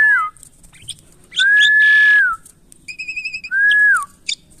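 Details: Asian pied starling kept in captivity and being tamed gives a long level whistle that falls at its tail, then a rapid series of wavering buzzy notes and another slurred whistle, with scattered sharp chips.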